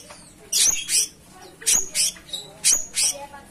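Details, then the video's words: Cucak cungkok in energetic song, giving paired rasping, high-pitched bursts roughly every second, each pair a quick double note, over a faint low hum. "Gacoran Burung Cucak Cungkok Istimewa"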